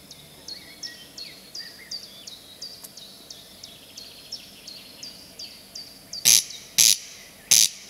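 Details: A singing Corncrake in spring gives dry, rasping "crex crex" notes repeated about twice a second, ending in three loud, harsh rasps close by.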